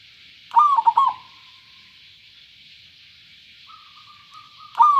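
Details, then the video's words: Zebra dove of local stock with a clear voice: two quick bubbling coo phrases open and close the stretch, with a faint series of soft, even notes rising in between over a constant hiss. "perkutut lokal suara jernih"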